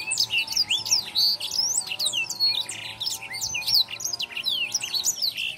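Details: Black-throated canary singing continuously in a training recording meant to tutor caged songbirds: rapid, loud, high twitters, trills and sharp slurred whistles pouring out without a break for over five seconds, with a low steady hum beneath.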